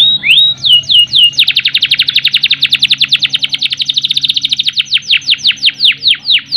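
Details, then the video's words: Canary singing a long roll to stimulate birds lacking breeding urge; begins with a few sliding whistled swoops, then a fast sustained high trill that gradually slows into spaced, downward-swept notes, with a quiet low hum. "Kenari Gacor Ngerol Panjang Untuk Pancingan Kenari Yang Kurang Emosi Dan Birahi, Canary Bird"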